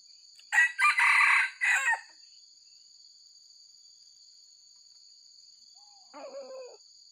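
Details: A white-legged wild red junglefowl used for luring gives one hoarse, multi-part crow near the start. Then a long silence, and a softer, shorter call a few seconds later, with a constant high-pitched hum throughout.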